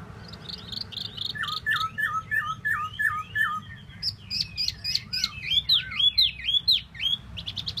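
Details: Tieu mi bird song: a run of quick repeated whistles about twice a second, then a jumble of high slurred notes and clicky strokes.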